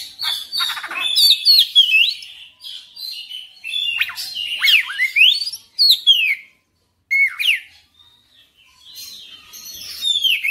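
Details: Oriental magpie-robin singing a fast, varied song of loud whistled sweeps, sharp upslurs and harsh notes, with a few short pauses and a softer ending.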